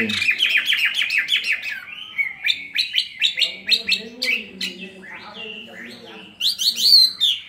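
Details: Fighting song of a caged Chinese hwamei, two years in captivity, tail spread: strings of fast repeated whistles and slurred phrases, a quieter lull with low murmuring, then a loud whistled flourish.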